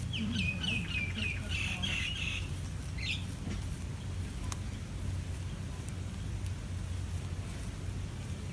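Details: Bulbul adults calling while protecting chicks during an ant attack: a quick, chattering run of chirpy notes for about three seconds, then only steady low background rumble.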